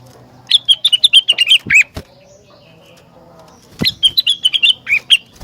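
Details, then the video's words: Rengganis bird singing, a song said to make other rengganis sing in response: two bursts of rapid, sharp, high chirps, each over a second long, separated by a quiet gap with a few clicks. "Burung Rengganis Lain Ikut Gacor Jika Dengar Suara Rengganis Super Gacor Ini"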